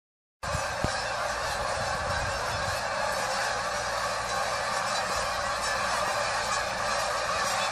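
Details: Large flock of geese encountered on a walk, very loud: a dense, continuous wall of overlapping nasal honks and yelps starting abruptly after a brief silence, with a few low thumps early on.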